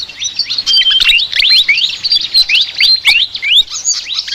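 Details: High-pitched, busy flycatcher (sikatan) chatter: rapid rising chirps and short flat whistles tumbling over each other in a continuous jumble.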